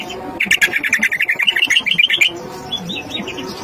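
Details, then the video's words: A greater green leafbird, used as a lure to provoke other leafbirds, pours out a fast run of about twenty bright, high chirps in under two seconds, then softer scattered notes over faint background music. "cucak ijo DIJAMIN ngamuk & Ikut gacor dengan pancingan ini"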